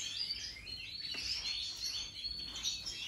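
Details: Several Major-type European goldfinches, 2023: quick liquid twittering with rising and falling chirps that overlap without pause, and one brief low tap midway.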